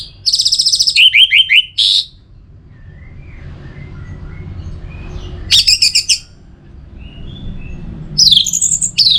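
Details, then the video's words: Orange-headed thrush from North Bali (Singaraja), used to stimulate singing. Three loud bursts of high, rapid, descending whistled notes with gaps of faint background hum between them. "Pemancing Burung ANIS MERAH Agar Selalu Gacor"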